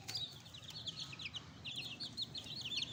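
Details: Young pet chicks newly added to a brood, giving rapid high-pitched peeps in quick overlapping bursts, some notes sliding downward, over a faint low background hum.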